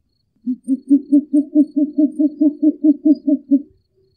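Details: A Short-eared Owl (Asio flammeus) gives a quick hoot series of about fifteen low, soft hoots, five a second for three seconds, in an otherwise quiet setting.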